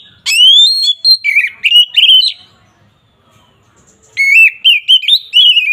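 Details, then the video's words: Kacer, the Oriental magpie-robin, in fired-up 'ngeplong' fighting song used to provoke opponents; a long rising whistle into rapid wavering notes, a pause of over a second, then another burst of quick varied whistles. "Suara burung KACER NGEPLONG ini samgat ampuh untuk menaikan emosi lawan"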